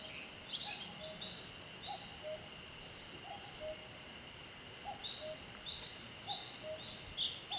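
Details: Breeding male Daurian redstart in Shinshu, Japan, giving two bursts of high, rapid twittering song with scratchy chirps and short whistled notes, separated by a quieter pause, over constant hiss.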